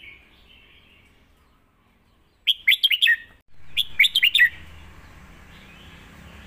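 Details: Red-whiskered bulbul, a competition bird, singing its master song to teach young birds: two short bursts of five or six lively whistled, warbling notes about a second apart, with a faint steady hiss behind.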